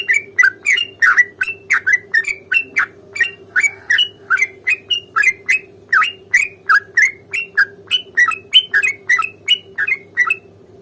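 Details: Long rapid fighting roll of a Sooty-headed bulbul, sung to provoke another bird into answering: nearly eleven seconds of unbroken, brisk chirpy whistles rising and dipping in pitch, over a steady low hum.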